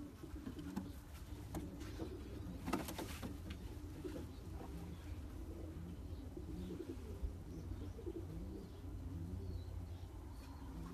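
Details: Low, murmuring coos from champion racing pigeons, repeated in short rolling phrases under a heavy low rumble, with a few scattered clicks and knocks early on.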